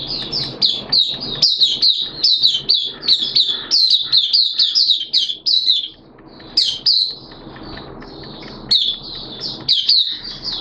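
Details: Singing caged Oriental white-eye (Mata Puteh), hobby bird recorded 11 September 2022 during wet, erratic weather; an almost continuous stream of sharp, high-pitched warbling chirps with only brief gaps and low background noise.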